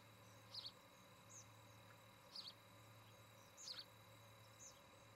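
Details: Osprey calling at its nest in Charlo, Montana, on a nest camera on an August 2018 evening. Clipped, high chirps arrive in spaced bursts roughly every second and a half, with softer notes between and a background hum.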